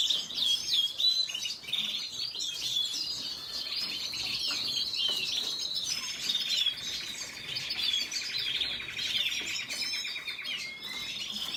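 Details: Red siskin song beginning with sharp, high twittering, then shifting at about six seconds into a lower, harsh rattling trill that continues under the twitters.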